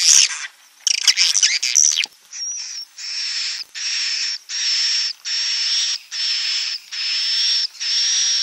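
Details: Edible-nest swiftlet; roosting call; attracting swiftlets to roost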